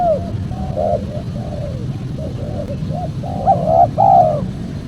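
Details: Spotted dove lure call for wild doves: soft, muffled coos over low rumble, building to a louder phrase near the end with a stuttered opening and a drawn-out falling coo.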